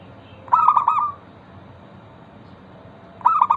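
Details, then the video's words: Local zebra dove singing as a lure to prompt other zebra doves to answer, with two bursts of rhythmic, pulsed mid-pitched coos, each ending in a drawn-out note, separated by a quiet pause over a soft background hiss. "Perkutut lokal gacor pancingan ampuh Suara disukai burung perkutut bikin cepat bunyi langsung nyaut"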